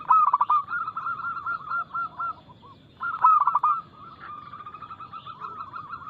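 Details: Loud, quick cooing of a local zebra dove, played to spark singing in other doves. Two phrases of staccato coos, each opening with a stronger burst, turn into a steady rolling trill.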